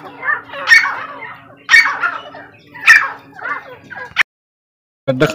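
A female grey francolin gives harsh, scratchy calls about once a second, four in a row, over a low steady hum before the clip cuts.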